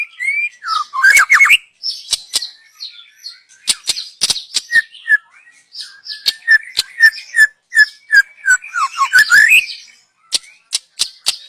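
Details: Young wild white-rumped shama from the forest, its song used as a lure: varied whistled phrases, falling and rising slurs near the middle pitch mixed with sharp clicking notes, then a run of repeated short whistles and further clicks.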